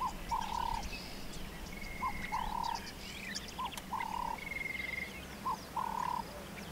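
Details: White-fronted bee-eater calling at Pafuri, Kruger National Park, South Africa: paired nasal notes, a brief one then a drawn-out one, recurring roughly every 1.7 seconds, while other birds give higher whistles and trills in the background.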